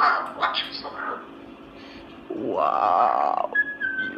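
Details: Misha, a male Moluccan cockatoo, talking in the dark at night: husky, speech-like mutters like a conversation with a devil, then a sustained rising nasal drawl of about a second, ending with a brief thin whistle.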